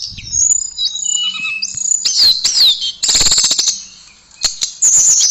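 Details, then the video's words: Blue flycatcher, known locally as tledekan, singing melodiously: sweeping high whistles that bend up and down, a noisy stretch of rapid ticking chatter, a quieter gap, then loud high notes resuming. "Kicauan Merdu TLEDEKAN"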